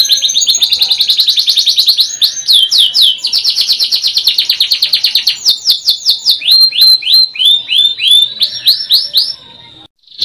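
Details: Singing canary delivering rapid buzzy high trills that change into slower rolling downslurred whistles, phrases switching every few seconds, ending abruptly.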